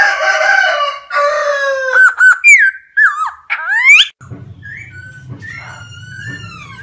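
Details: Wild laughingthrush singing a rich, varied phrase: rough harmonic notes, then a run of loud slurred, rising and falling whistles, ending in softer warbled whistles over a low hum.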